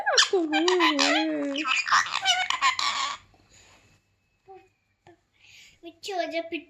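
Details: Pet parrot calling indoors: loud harmonic warbling and wavering tonal notes in a dense burst for three seconds, then quiet with short scattered squeaks and a final harsh call; sounds speech-like in places.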